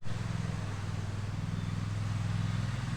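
Steady low engine rumble of a running vehicle with a strong pulsing hum throughout, no animal sounds heard.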